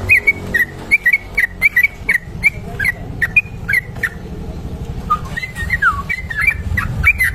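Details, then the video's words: Trucuk kebo bulbul giving a long ropel song for bird tutoring: evenly spaced quick whistled chirps, then a run of lower falling slurs, over a steady low rumble. "trucuk kebo ropel panjang"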